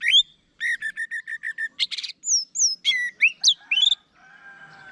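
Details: Orange-headed thrush: a quick string of repeated short notes, then a mix of high thin slurs, buzzy bursts and rising whistles, fading into a soft warble.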